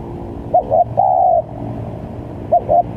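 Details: Spotted dove lure call for trapping: one full phrase of two short notes and a long level coo, then the start of another phrase, over faint background hum.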